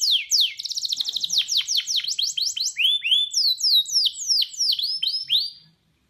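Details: A yellow canary gives a training song: rapid, high trills of falling sweeps, about three notes a second, then slower swooping whistles. No other sounds.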